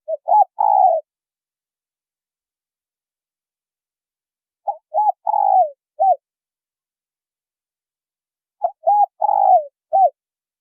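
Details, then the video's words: Spotted doves, male and female, in a call meant to provoke newly caught birds. A four-part coo phrase of short note, arched note, long rolled falling note and final arched note, repeated three times about four seconds apart, with silence between. "Tiếng chim cu gáy trống mái thổ kích bổi hay mới"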